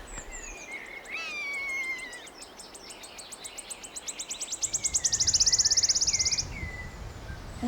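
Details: A wood warbler sings in Taynish NNR's Atlantic oak woodland in Scotland, days after arriving from Africa: a high, accelerating run of ticking notes speeding into a dry, shivering trill of about two seconds. Other birds give softer whistled notes earlier.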